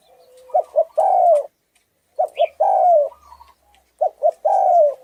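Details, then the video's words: Hoarse-voiced Thai-type spotted dove cooing to excite mates and attract wild birds: three phrases, each two short clipped notes then a long, loud, falling hoarse coo, with brief quiet gaps between. "Tiếng chim cu gáy thái giọng khàn gáy gù kích trống mái kích bổi"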